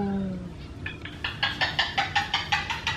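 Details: A very verbal pet cockatoo, who loves saying "Hello!" to visitors, rattles off about ten quick, harsh, nasal syllables, roughly five a second, after a brief low human voice at the start.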